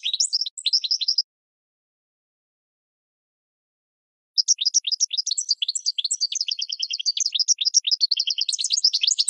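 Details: Goldfinch singing, recorded for cage-bird training: a short burst of bright twittering notes, a pause of about three seconds, then a long, fast stream of tinkling, chattering high notes that runs to the end.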